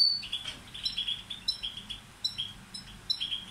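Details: A Balkan goldfinch (balcanica) used as a song tutor gives short, sharp, high chips and clipped whistles in small clusters about every half second, fairly quiet against a soft background hiss.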